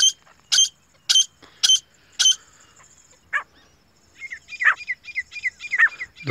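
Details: Grey francolin, described as a female from a pair calling in jungle: five loud, sharp, evenly spaced call notes about every half second, then a pause and a series of quicker, softer chattering notes.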